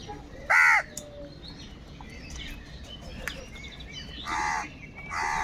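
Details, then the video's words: Crows squabbling over food: one loud, rasping caw near the start, then two fainter hoarse caws toward the end, with thin chirps of small birds behind. "Kaka sound and noises of Crow birds | All types of Crow sounds | Very loud voice of Crow sound"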